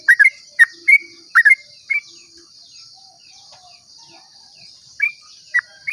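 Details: Dawn 'ropel' song of a sooty-headed bulbul, played to lure other bulbuls to sing; paired and triple bright whistled chirps in the first two seconds, a quiet gap, then two more notes, with high insect drone throughout.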